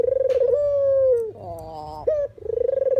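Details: Puter or deruk dove call for luring birds into traps: a long pulsed coo that flattens and falls, a pause, then a short note and another rolling purr.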